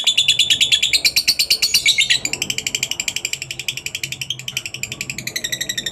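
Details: Lovebird ngekek meant to draw other lovebirds into song: a fast, harsh, high chatter of evenly spaced pulses, about three per second, loudest in the first two seconds, then continuing slightly softer.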